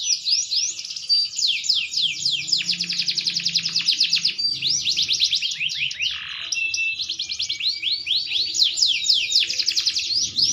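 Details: Green canary, a maturing caged bird, singing a long unbroken stream of fast, high trills and rolling phrases, rapid repeated notes sliding up and down, with a brief lower buzzy dip midway and a faint low hum beneath.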